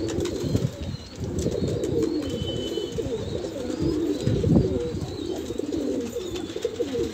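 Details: Banarasi pigeons of the Kalsera type kept for sale in Allahabad, India, giving a steady chorus of deep, rolling coos from several birds, with occasional knocks and faint high chirps.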